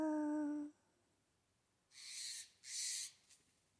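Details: A Blue jay, close by in a redwood forest, gives two harsh, raspy screeches about half a second apart, after a brief low, steady hooting tone at the start.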